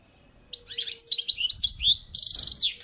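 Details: European goldfinch on a balcony pouring out a dense run of liquid twitters and sweeping slurred notes, ending in a harsh buzzy burst, with a soft low hum underneath.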